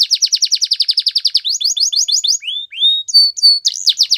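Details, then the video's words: Singing canaries: a quick, pulsing trill of repeated notes, then slower upslurred phrases, a couple of smooth gliding whistles, flat high tones, and a renewed burst of trilling. "Canaries Singing"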